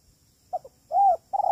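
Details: Spotted dove coos used as a lure for trapping: two short soft notes, a drawn-out arched coo, then the start of another low coo, all mid-pitched with a faint steady high hum.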